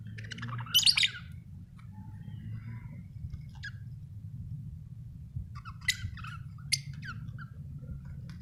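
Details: Budgerigar giving a loud harsh squawk near the start, then scattered short chirps and sharp upward calls, with a low background hum throughout.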